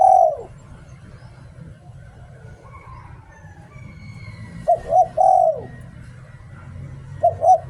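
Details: Spotted dove decoy repeating its "liu tan" song: the tail of a falling coo, a pause, a full three-coo phrase ending in a long slide down, then another phrase starting.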